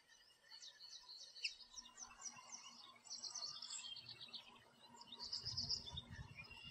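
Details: American goldfinches visiting a backyard thistle and sunflower feeder in groups, chirping and singing. A high, rapid twittering runs through most of the clip in bright trilled phrases, with a low rumble late on.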